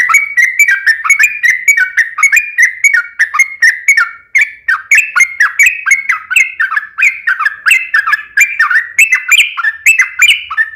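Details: Sooty-headed bulbul long continuous song for luring other bulbuls to sing: an unbroken stream of rapid bubbly whistled notes running for over ten seconds.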